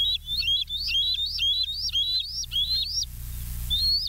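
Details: Bald eagle filmed by a live nature cam at West End on 11 July 2023 at 20:54, giving a rapid series of high, thin whistled notes, each sliding upward then dropping, about six per second, with a brief pause before a final note.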